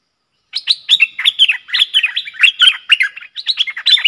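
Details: Two streak-eared bulbuls duelling in song on 30 October 2021. Following a brief quiet start, a continuous flow of rapid, cheerful slurred whistles and chatters, densely packed and overlapping.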